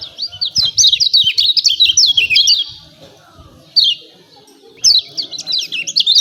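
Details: Lemon-bellied white-eye 'ciak ciak' calling, used to spur caged birds to sing: a quick chattering burst of high descending chirps, a pause, one chirp, then another rapid burst.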